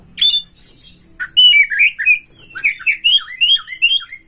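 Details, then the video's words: Caged white-rumped shama singing to provoke other shamas: a sharp opening note, then a fast series of short slurred whistles repeated in a rising, bouncing rhythm. "pancing KACER sampai GACOR NGEPLONG BONGKAR ISIAN BUKA EKOR suara cepat Naikan EMOSI KACER Anda"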